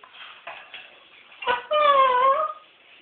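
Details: Five-year-old pet Moluccan cockatoo laughing indoors: a few soft breathy chuckles, then a loud, drawn-out, harmonic laugh-like note that dips slightly and rises again before fading.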